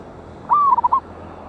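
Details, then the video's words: Lure recording of a loud local wild zebra dove, dated 11/8/24: a long, flat coo descending into three brief, pulsing notes, with soft steady background noise. "PANCINGAN BURUNG PERKUTUT LOKAL ALAM SUARA BESAR"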